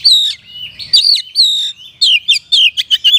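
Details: Oriental magpie-robin singing in kapas tembak style: a few long clear whistles sliding up and down, then a rapid burst of loud, clipped high notes.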